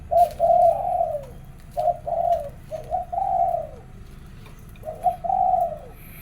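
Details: Zebra dove cooing in the morning, a series of short rolling coo phrases, each ending in a longer sliding note, with soft ticking sounds behind.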